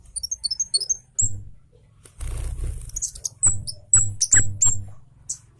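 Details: Orange-headed thrush of the Javan variety, agitated and singing fast as a training recording. A rapid run of high whistled slurred notes gives way to sharp, bright high phrases, with low thumping noise underneath.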